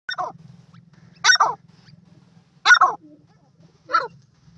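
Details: Female grey francolin (teetar) with chicks: four harsh, rasping bursts roughly a second apart, each short and noisy with a slight downward slur, over a steady low hum.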